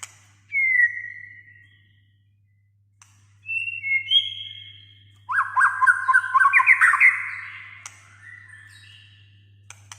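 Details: White-rumped shama song meant to stir a reluctant shama to sing: a brief down-slurred whistle, a long silence, two flat sustained whistles, then an energetic burst of rapid chattering warbles that fades out, with a faint hum throughout.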